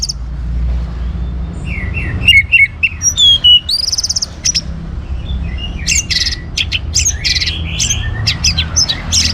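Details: Orange-headed thrush song played to encourage other birds to sing, Bali: soft whistled phrases build into a loud run of high buzzy trills and sweeps, followed by scattered sharp chirps over steady low noise.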